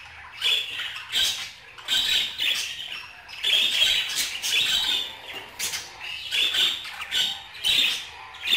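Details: Budgerigar chatter in uneven bursts of raspy warbling and sharp chirps, some notes ringing shrilly, with short gaps between phrases.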